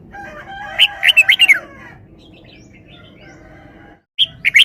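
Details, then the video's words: Red-whiskered bulbul in a cage singing a wild-style phrase: a rapid cluster of loud, bright, slurred whistles, a quiet pause with faint background chirps, then another short burst of notes. "นกกรงหัวจุก 1033 จ้าวมาดี สำนวนดี"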